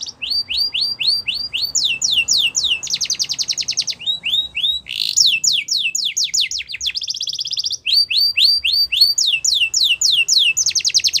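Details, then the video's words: Yorkshire canary song meant for training young canaries, a long varied sequence of sharp repeated chirps alternating with dense buzzing rolls and trills, each phrase changing after a second or two. "The Best Canary Training Song | Yorkshire Canary Singing"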